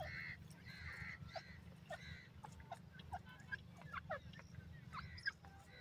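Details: Wild grey francolin at roost in the forest: harsh, buzzy, harmonic notes given in short bursts, several close together at the start and more scattered later, over many thin chirps from other small birds and a steady low rumble.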